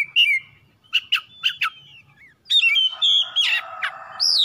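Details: Oriental magpie-robin song meant to provoke other birds to sing: a brief whistle, a few sharp chips, then a harsher burst of whistles over a noisy buzz.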